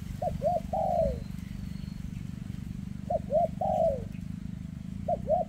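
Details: Spotted dove with a leg tremor, cooing in the thick 'rước' style: three phrases, each two short hooked notes and a long sloping coo, spaced roughly two and a half seconds apart over a low background drone.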